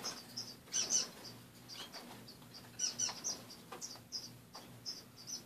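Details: In the morning, caged finches give sparse, high, clipped chirps, sometimes doubled, spaced by short pauses, over a low steady hum.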